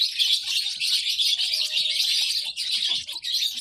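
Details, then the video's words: Shrill, busy chirping from a baby lovebird, fast overlapping tweets running without a break for a few seconds, with small dips in loudness. "lovebird sounds baby bird - lovebird chirping sounds"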